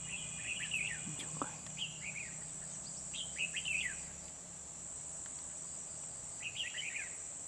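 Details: Red-whiskered bulbul recorded at Kim Bôi on 24 December 2020 during trapping with a decoy bird: bursts of short, warbled, up-and-down phrases repeated several times, over a steady high insect-like hiss.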